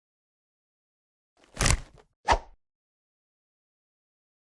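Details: Silence broken by two short, dull plopping thumps about half a second apart, with no animal sound.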